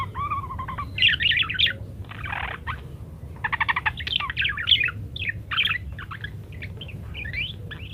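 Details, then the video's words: Parakeet singing energetically in a varied recording meant as a master for munias to learn to sing: a low warbled phrase opens, then dense bursts of scratchy chatter and short whistled notes, some rapid clicking trills, over a steady low hum. "rekaman suara asli burung PARKIT gacor berbagai variasi."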